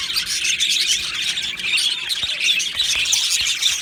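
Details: Australian budgerigars in an aviary colony, a dense wall of high chirps and warbles with many birds calling at once, steady and unbroken, with occasional sharp clicks.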